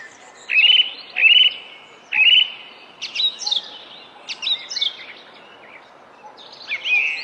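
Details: A bird singing: three clear rising whistles, each trailing into a level tone, followed by buzzy, scratchy phrases spaced a second or so apart, and a final rising whistle, against a quiet background.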